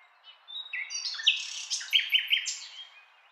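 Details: Common nightingale singing: a varied phrase of short whistles and sliding notes that ends in a quick run of three bright repeated notes, with a fainter call at the start.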